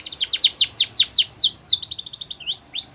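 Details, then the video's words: Spanish Timbrado canary in full training song: a long run of rapid falling chirps, a quick steady trill, then looping upward-curving whistles. "Canary's Most Powerful Song For Training"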